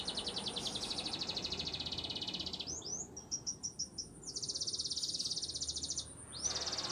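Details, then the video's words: Spanish Timbrado canary singing a training song: long, rapid high trills break for a moment into a few separate chirped notes, then resume as another fast rolling trill, with a soft background hiss. "Canary's Most Powerful Song For Training"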